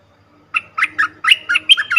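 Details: Cream-vented bulbul calling as a trapping lure, a lively series of about eight bubbly, warbled notes, each short and slightly rising, delivered at a steady quick pace against a quiet background.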